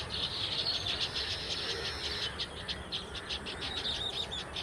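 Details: Baya weavers chattering: a continuous busy stream of high, sparrow-like chirps and buzzy notes, densely overlapping throughout, against a low rural background hum.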